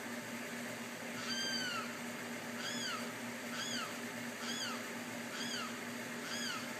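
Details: A Limpkin in Tampa gives six loud, wailing cries, each arching up then slurring down, about once a second, over a steady low background hum.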